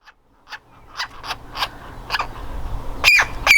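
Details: Baby woodpecker in its nest hole, ready to fledge and desperately trying to get out; soft scattered notes build into a series of harsh, rasping squawks that grow louder toward the end, with steady low background hum.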